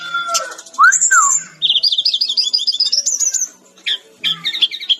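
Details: Energetic song of a brown-chested jungle flycatcher (Cyornis olivacea): a few slurred whistles, then a rapid stuttering string of high twittered notes rising slightly in pitch, and scattered sharp chips at the end.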